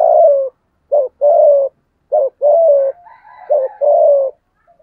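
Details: Lure spotted dove with a giọng thổ voice calling to draw in wild doves: repeated pairs of a short note and a longer steady coo, about three phrases, with faint higher notes behind.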